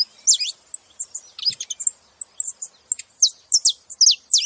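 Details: Several saffron finches making noise together: a busy stream of high, bright chirps and quick downward-sweeping notes, some short and clipped, overlapping irregularly with no other sounds.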